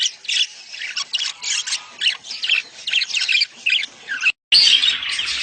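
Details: Budgerigar mating chatter used to encourage breeding: rapid, high, buzzy warbles in short repeated bursts, then a sudden brief silence before louder chattering resumes.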